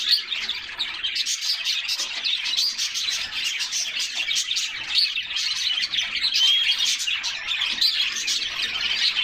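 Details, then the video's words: Several canaries bathing in summer and singing together, filling the air with a steady wash of high, busy twittering and fast trilled phrases that scarcely pause. "Canaries Singing and Splashing in a Refreshing Bath"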